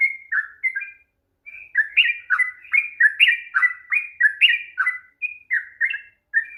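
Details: A 'ropel panjang' long rapid song of the sooty-headed bulbul, meant to provoke a lazy bird to sing. A few opening notes, a pause, then steady chattering phrases of slurred, falling whistles repeated almost every half second.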